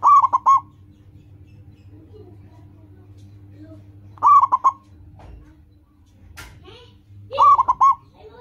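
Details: Zebra dove of the local type calling loudly, used as a training lure for caged doves: three punchy phrases of rapid bubbling coos roughly every three and a half seconds, separated by near silence and a faint low hum.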